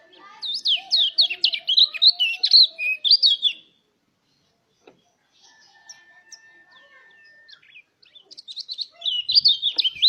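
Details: Mountain white-eye song played as a lure to stimulate other white-eyes to start singing: rapid bursts of high, thin, twittering chirps for about three seconds, a quiet gap with a faint steady whistle-like tone, then another fast twittering burst.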